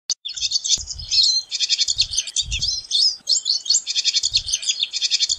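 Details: Pine siskin singing a long, rapid twittering song of dense trills and chattering notes with buzzy accents, steady and unbroken, with a few low thumps underneath.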